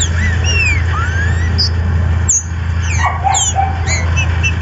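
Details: Green-winged saltator (trinca-ferro), a captive bird from a registered Brazilian breeder, singing loud slurred whistles that sweep upward, then a cluster of short bright falling notes, with constant low-frequency hum behind.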